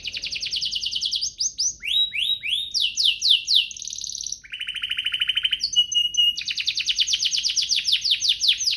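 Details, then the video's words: Singing canary, played as a lure so that other canaries join in. The song is a dense chain of fast trills, upward sweeps, a buzzy roll and bright whistles, ending in a long rapid trill. "Pancingan kenari biar gacor"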